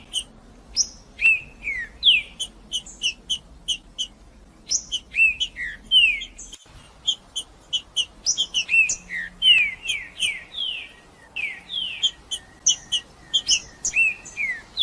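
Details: Trinca-ferro, the green-winged saltator, a male singing 'macheando' to excite other birds. Bursts of crisp high chips mix with rich downward-sliding whistled phrases, repeated in several bouts with brief pauses between them.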